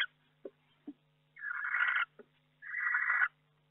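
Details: Barn owl in an occupied nest box during a week in May, eggs hatching. Harsh, breathy hissing screeches, each lasting about a second, alternate with short soft clicks and taps. A faint steady low hum runs underneath.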